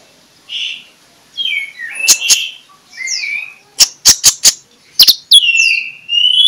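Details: Morning song of an Oriental magpie-robin (konin), used as a lure for other magpie-robins. Varied sweet whistled phrases, some rising and some falling, are broken by bursts of four sharp clicking notes and a few harsh chips.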